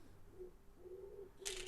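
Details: A noisy pigeon coos softly nearby in the background, low drawn-out hums in three short phrases, with a burst of plastic clicking near the end.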